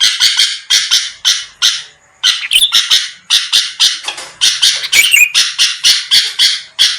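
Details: Lively sooty-headed bulbul used as a lure to provoke rivals into replying: dense runs of scratchy, buzzy notes with a short pause, then more harsh chatter mixed with quick twisting whistles.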